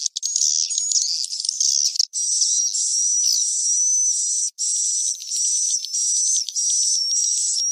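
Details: Swiftlet roost call used to lure birds, cave-crossing type: steady high twittering chatter with a thin whistle, repeated in stretches about half a second to a second long with tiny breaks.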